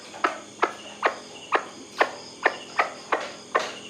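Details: White-breasted waterhen call, a recording its owner considers playing at night to draw birds in: sharp, clipped broadband notes repeated about every half second, evenly spaced, over a steady faint background hum.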